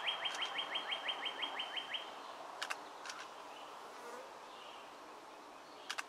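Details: Two juvenile Bald Eagles at their Fort Hunt nest on 23 May 2015 piping a quick run of about a dozen thin, high, clipped whistled notes over two seconds, then quiet with occasional sharp clicks.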